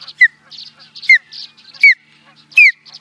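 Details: Osprey recorded in Charlo, Montana, USA, in 2017, giving clear, high whistled calls that slide downward, about four evenly spaced notes, each backed by softer squeaky overtones.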